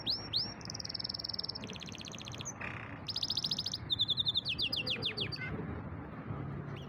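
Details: Champion singing canary delivering a varied song: upslurred whistles, a long flat buzzy trill, rapid rolling rattles with a short pause between, then a run of falling sweeps and pulsed notes; faint background hum.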